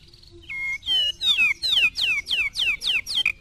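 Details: White-rumped shama in a match between a Medan short-tailed bird and a 'balak 6' bird: a loud series of about eight bright whistles, each sliding downward, repeated roughly every third of a second after a short opening note.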